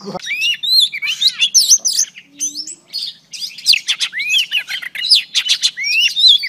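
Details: Female Oriental Magpie Robin song used to stimulate male birds: lively upward-sweeping whistles mixed with harsh chirps and rapid scratchy notes, with faint low voices in the background.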